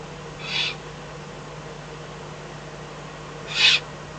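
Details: Eurasian eagle-owl in the Eifel before dawn on 24 May 2014, a fox brought as food; two drawn-out rasping hisses about three seconds apart, the second louder, against a low constant hum.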